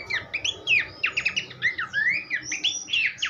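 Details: Horsfield's babbler singing, a tutor recording for songbirds: brisk, varied whistled notes, quick upward and downward slurs interspersed with sharp chips, tightly packed.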